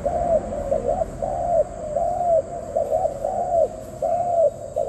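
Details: Low mellow coos from a dove, drawn-out arched notes repeated roughly every second, accompanied by low background rumble.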